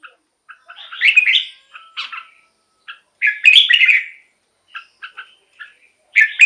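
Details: Red-whiskered bulbul singing, a recording meant to stir caged birds or attract wild ones: rich, rolling warbled phrases mixed with scattered short chips and clipped notes, the loudest phrase near the middle.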